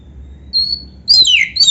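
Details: Oriental magpie-robin, master recording with canary fill-ins: a thin steady high whistle, a pause, then a loud sharp note sliding downward into a fuller whistled phrase.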